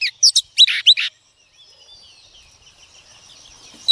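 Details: Female Oriental magpie-robin, a wild-caught bird, singing to rouse males: a quick cluster of bright, warbled whistled notes in the first second, then a long stretch of faint, thin, distant twittering and one sharp note at the end.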